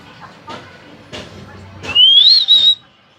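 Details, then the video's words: Talking hill myna: three short harsh voice-like bursts, then a loud clear whistle that rises and wavers before ending steadily. The background is quiet. "কথা বলা ময়না পাখি"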